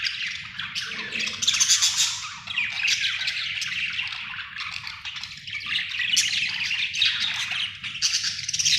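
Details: Nearly continuous chatter from a happy budgie: fast, scratchy warbling mixed with sharp squeaks and chirps, rising and falling in loudness without real pauses, over a faint low background hum.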